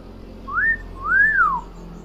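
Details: Tame pet common hill myna known as a clever talker: two clear whistled notes, a short rising slur then a longer rising-falling arch, over a faint low hum.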